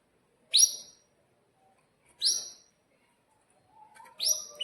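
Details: Canary in breeding condition, caged, used as a lure for young birds learning to sing; three loud, sharply upswept 'cuit' chirps about every two seconds, with a faint low warble before the last.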